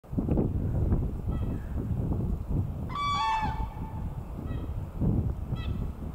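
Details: Common crane in spring, 24 March 2018, Vainode, Latvia, giving a few loud, brassy trumpeting notes, the strongest a rolling, slightly falling call, with fainter replies, over a steady low wind-like rumble.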